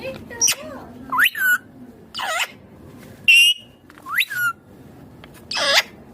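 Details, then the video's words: Pet ringneck green parrot making natural calls: a string of varied shrill squawks and upward-sweeping whistles, some harsh and noisy, separated by short pauses. "My Ringneck Green Parrot Natural Sounds / Natural Voice || Mithu Baat kar raha hain"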